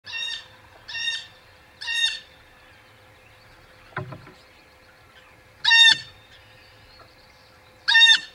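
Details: Blue jay calling near the Audubon Boathouse nest in early morning, 19 April 2020: five loud, harsh, nasal jeers with rich harmonics, three in quick succession then two more after a pause, plus a brief low knock.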